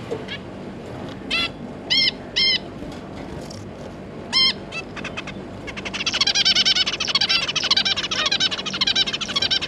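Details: Zebra finch pair with their three juveniles, kept birds: several loud nasal stacked call notes in the first half, then a dense rapid chattering of many small calls through the last four seconds over a steady background hum.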